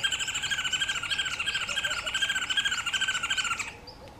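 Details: Green wood hoopoe giving its cackling call, likened to laughing women: a loud, rapid run of harsh, nasal cackles repeated almost three times a second for over three seconds, then stopping abruptly, leaving quiet background.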